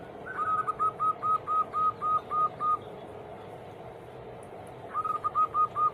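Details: Zebra dove song, used as a daily prompt to set other doves singing: a quick train of about ten short, even cooing notes, a pause, then another shorter run, over a steady hiss of background noise.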